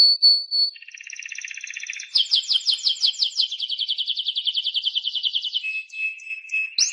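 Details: Timbrado canary song opens with a steady whistled tone, moves into a buzzy trill, then a long run of rapid descending pulsed notes ending in a lower roll.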